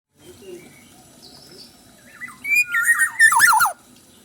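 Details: Black-naped oriole, described as chatty with abundant fill-in song material: soft scattered whistles, then a loud burst of harsh, buzzy notes mixed with wavering fluty whistles near the end.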